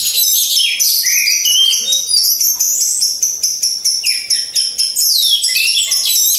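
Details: Lure song from a caged orange-headed thrush hung among others for training: a continuous, rich stream of high twittering and ringing notes with a rising sweep near the end.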